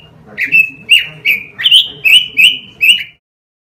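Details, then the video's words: Pekin robin singing for a caged-bird training recording: a series of about seven clear, slurred whistles at an even pace, each with a short buzzy start, ending abruptly. "Masteran suara burung ROBIN"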